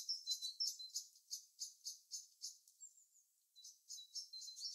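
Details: Winter birdsong with rapid, high, sparkling chirps tumbling several times a second, a brief thin whistled pause, then more quick squeaky notes resuming, against a quiet background.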